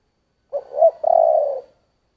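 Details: One spotted dove coo phrase, 'giọng thổ' style: a clipped opening note, a louder hollow hoot, then a long, even, soft coo that tails off. No other sounds.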